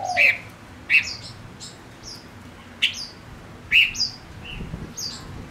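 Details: Male Gouldian finch kept as a decoy bird, singing to lure wild birds: short bright whistled notes and upslurred chirps in separate bursts about once a second, over a faint low background hum.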